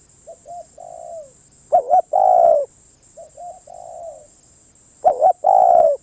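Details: Cooing of a spotted dove: soft two-note coos with a trailing falling note alternate with louder phrases of a doubled hooked note and a long slurred coo, repeating every few seconds, steady faint high hum behind.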